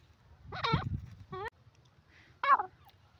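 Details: Francolin (teetar) calling: a loud burst of rich, wavering, harmonic notes, then a shorter buzzy note and, after a pause, one brief sharp call over a low rumbling background.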